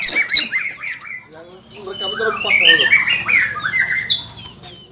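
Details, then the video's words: Green leafbird singing to provoke rival green leafbirds: high squeaky notes open, then a tumbling jumble of varied chirps, slurred whistles and harsh squawks at lower volume, with a faint background hum. "PANCINGAN CUCAK IJO GACOR,SUARA NYA BIKIN BURUNG CUCAK IJO LAIN LANGSUNG EMOSI"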